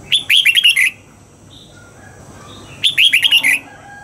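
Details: Red-whiskered bulbul kept caged, trained to sing at dawn in the mature wild double-note style: two rapid phrases of five or six whistled, slurred notes, nearly three seconds apart, with faint chirps between.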